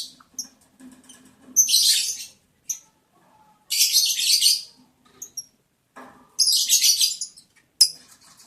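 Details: Lovebirds during mating in the breeding season, day 11 of breeding progress, 11 July 2022: three shrill, hissy screeches about two seconds apart, each under a second long, with faint short chirps between them and quiet pauses.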